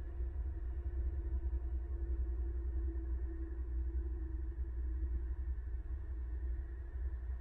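Steady low engine rumble like a passing car or motor, with a faint hum throughout and no animal voice.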